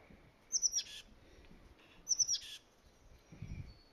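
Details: Oak titmouse in a valley oak at a plant nursery, calling twice about 1.5 seconds apart: three thin, high notes breaking into a raspy, buzzy chatter, then a faint low rumble.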